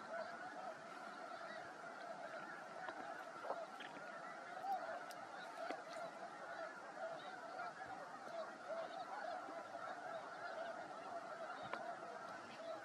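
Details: Spring migration flock of snow geese, about 8,500 reported, on the ice at Freeze Out Lake, Montana, on a sunny March day; dense continuous honking with occasional sharper individual calls above the mass.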